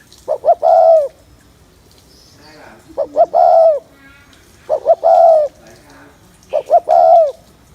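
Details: Spotted dove gù coo used to excite males, four evenly spaced phrases about 1.9 seconds apart, double short note then long wavering coo, with faint chatter in the pauses.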